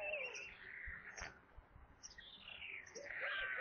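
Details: Nest camera in Kaluga region, Russia, captures white storks at evening feeding, 22 July 2022 at 17:52, with a corncrake brought in. Loud wail at the start, a quieter dip, then a rising cry at the end.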